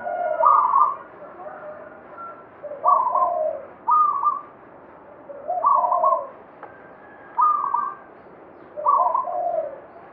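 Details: Local banyumili zebra dove in full song, repeating bubbly double-layered coo phrases every one to two seconds, with higher stuttered notes over lower ones.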